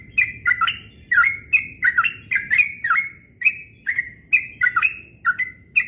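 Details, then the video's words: Yellow-vented bulbul singing at dawn in the rapid continuous style called ropel: a quick run of liquid, bubbly, slightly slurred notes, often in pairs and triplets, with a steady low hum underneath. "Trucukan Ropel Subuh suaranya merdu sekali"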